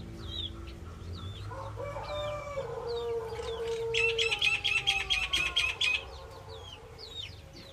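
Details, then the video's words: Female common myna calling: varied twisting whistles and squeaks, then a fast run of about ten sharp, evenly spaced notes near the middle, over a drawn-out lower tone and steady low background rumble. "The common myna (Female) | Indian myna calling"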